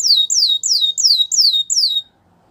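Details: Belgian canary repeating a single sharp high note that sweeps steeply downward, six times about every third of a second, then silence.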